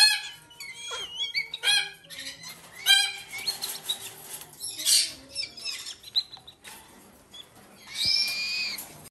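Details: Hand-fed lesser sulphur-crested cockatoo chicks, brothers or sisters of about four months: scattered raspy squawks and short whistled slides, with a louder harsh shriek near the end.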